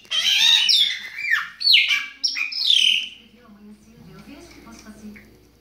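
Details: A chopi blackbird sings in the Baianinho style, with loud chattering whistles and swooping squawks in the first three seconds before the song stops and quiet human voices murmur in the background.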